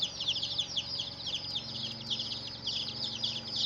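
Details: Baby chickens peeping in a crowd, giving rapid, overlapping shrill chirps that fall in pitch, uninterrupted from start to end, with soft low hum behind.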